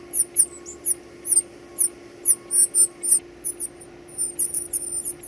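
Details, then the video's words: Young birds at feeding time utter sharp, very high chips with quick downward flicks, repeated roughly twice a second, over a quiet background hum. "feeding baby birds"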